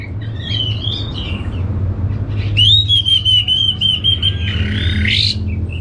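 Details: Orange-headed thrush from Singaraja, Bali. After quieter twittering it launches a long, sustained, bright whistle with a buzzy rising flourish at the close. A steady low rumble sounds throughout.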